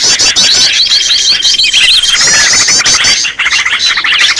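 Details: Green leafbird call used to lure other birds: a string of repeated sharp chirp notes over a long thin whistle, then thick chattering trills.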